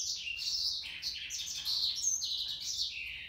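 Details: Male African yellow canary in full song, a rapid, jumbled warble of high sweet notes, trills and sliding whistles with no break across three seconds.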